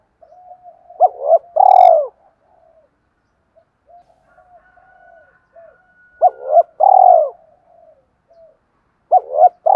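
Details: Spotted dove calling to attract wild doves: soft low murmuring broken by paired coos, each a short hooked note followed by a loud, long burred coo. The pattern repeats twice, ending on quick clipped notes.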